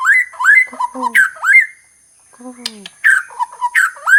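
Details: White-crowned shama from Sabah, Borneo, singing loud whistled phrases that swoop up and down. Lower, falling notes with a buzzy, layered tone come in between. There is a short pause near the middle before the phrases resume.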